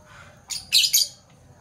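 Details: Morning chirping from Fischer's lovebirds of parblue violet and parblue turquoise colour: three quick, harsh, high-pitched squeaky bursts in under a second, then a faint trailing chip over a quiet low hum.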